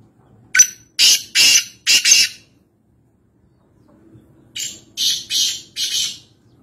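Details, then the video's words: Black francolin in Nawabshah, interior Sindh, Pakistan, gives two harsh, grating phrases of four or five loud rasping notes each, separated by a pause of about two seconds. "Kala Teeter | High Pitched Chirping Sound Voice | Francolin | Black Partridge"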